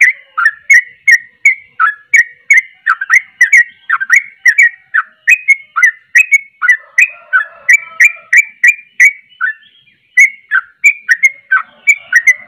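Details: Energetic sooty-headed bulbul song: dense chain of short, slurred whistles, nearly three per second, sustained for over ten seconds with a brief pause near the end, uneven in rhythm, said to provoke other bulbuls.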